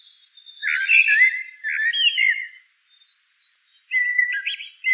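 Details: Common blackbird sings warm, throaty fluting phrases in close succession, then pauses briefly before starting another whistled, slightly jerky phrase. The setting is quiet.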